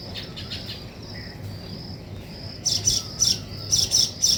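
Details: Weaver birds building a nest: quiet high chirps at first, then from midway a loud burst of sharp, high chirping notes in quick clusters over a low steady rumble.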